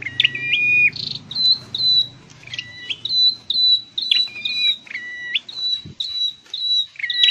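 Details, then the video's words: Scarlet-headed flowerpecker kept in a cage for song training gives a rapid run of high, thin whistled notes, alternating steady higher tones with lower stepped chirps, many per second with brief gaps, over a quiet background and one soft knock. "Deep red-headed birds(Dicaeum Trochileum): Birds thoroughbred training for singing chirped"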